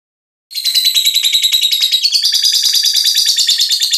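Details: Five-month-old lovebird described as a fighter, singing after a brief silence in a dense, rapid, high-pitched chatter of buzzy chirps, about three notes a second, rising slightly in pitch midway and continuing unbroken.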